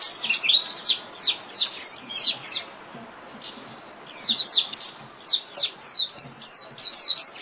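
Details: Japanese white-eye singing to call its flock: two bursts of rapid, high twittering notes with quick up-and-down slurs, separated by a short pause.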